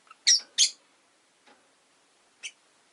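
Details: Rosy-faced lovebirds kept indoors in a cage by a window, five birds present: two loud harsh chirps close together, then a faint note and one shorter squawk, on a quiet background.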